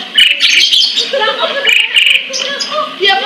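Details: A captive sunbird (sogon/sriganti) kept as a master song bird in Pemalang, Central Java, Indonesia, runs fast, high, thin twittering almost continuously in bright chirpy bursts, with a faint lower murmur underneath.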